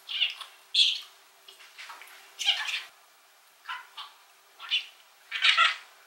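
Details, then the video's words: Male budgerigar of the rainbow variety chattering as a pet, recorded through a telephoto zoom: a few harsh, breathy bursts and short raspy phrases separated by pauses. "Talking Parakeet Bird"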